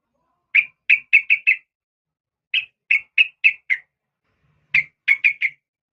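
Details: Sooty-headed bulbul female calling a male with three even series of four or five clear, clipped notes, each series about a second long and separated by roughly a second of silence.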